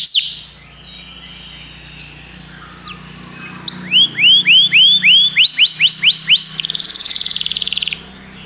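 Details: Canary song over a faint low hum: quiet opening notes, then a series of loud upward-swooping whistles, a quicker repeated tour, and a high buzzy trill.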